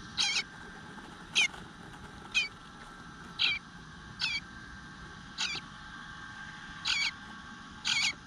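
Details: Eastern bluebird nestling in a nest, begging for food on a June morning at 9:10 and left unfed for a while: short, high, scratchy whining notes repeated about once a second, with a faint steady hum behind.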